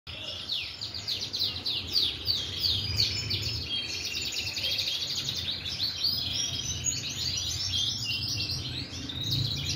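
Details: Canary singing continuously in long, rolling, high trills and twittering phrases, with steady background noise and a low hum.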